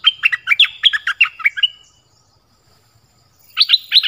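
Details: Nok dok taeng songbird in 'pleng beun' style, played for young birds to learn. A rapid sequence of about a dozen whistled notes, varied in pitch, then a silent pause and a new phrase starting.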